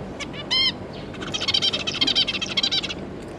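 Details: Zebra finches, two adults with three juveniles, 9 June 2022: a few short notes and one loud, clear, stacked nasal beep, followed by quick, buzzy, overlapping chatter lasting under two seconds.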